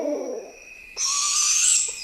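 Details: A juvenile barred owl (Strix varia) gives one drawn-out, hissing screech with a thin rising whistle on top, about a second long, after a brief low murmur; a spacey juvenile call that confirms breeding.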